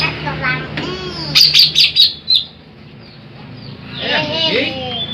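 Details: Big greater green leafbird singing a master song meant for luring birds: a quick run of sharp high chirps, then a pause and a cluster of descending slurred whistles near the end.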